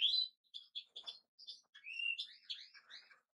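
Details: European goldfinch giving bright, liquid twitters: short high notes and a rising slurred phrase, spaced by brief pauses.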